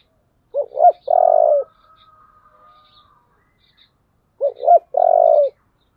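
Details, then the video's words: Twice-repeated fight call of a spotted dove in the 'giọng thổ' style, phrases about four seconds apart, each two short hoots and a prolonged throbbing coo. A faint high steady whistle runs between them. "cu gáy giọng thổ/ cu gáy thúc đấu căng lửa"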